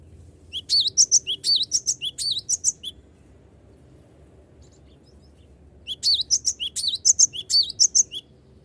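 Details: Cinereous tit in full song, calling rivals so they answer, used as a lure: two bursts of rapid, high, sharp whistled notes, roughly three per second, separated by a three-second pause, with a faint low background hum.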